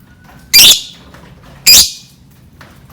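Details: Lovebird lure calls: two sharp, piercing squawks about a second apart, each brief and harsh, followed by quiet with a faint steady hum in an indoor space.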